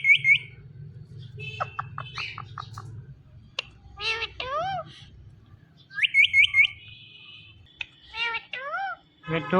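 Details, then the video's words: Indian ringneck parrot vocalising "Mithu Mithu": short chattering notes, bursts of rapid rising whistled notes, and curved harmonic syllables, with a low hum and background noise in the first seconds. "Ringneck Parrot Sounds Mithu Mithu"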